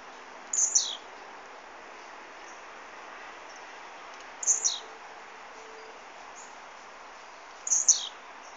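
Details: Blue-black grassquit singing: a short, very high, sharp note sliding downward, given three times about every three and a half seconds over a steady background hiss.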